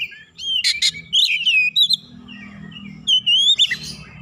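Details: Agitated rival White-rumped shama provoked into full song, giving clear gliding whistles and rapid chattering notes in short bursts, pausing briefly before a rising whistled phrase, with low background rumble.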